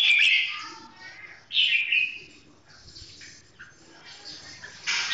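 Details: Red-whiskered bulbul song sung slowly and clearly, a loud warbled phrase opening, another at one and a half seconds, then softer notes and a final bright burst.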